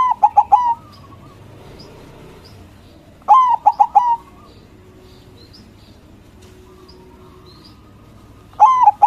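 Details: A white zebra dove of local stock gives loud song meant to make rivals answer, with quick clipped phrases of short notes near one kilohertz repeated about every three seconds, faint distant chirps in between.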